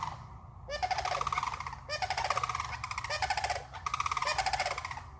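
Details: Sandhill cranes calling in a swamp, calls echoing and carrying up to 2.5 miles: loud, rolling, trumpeting rattles in about four overlapping bursts, each a second or so long, with a soft low rumble underneath.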